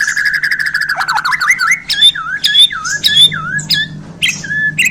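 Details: White-rumped shama of the Borneo type, just acquired, gives rich 'isian' phrases: a fast rattling trill, then a string of looping, swooping whistles repeated about twice a second, with a low background hum.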